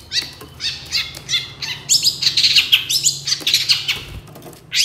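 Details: Long-tailed shrike lure song: dense, jumbled chatter mixing high squeaky notes, buzzy trills and quick whistled phrases without pause, over a low hum.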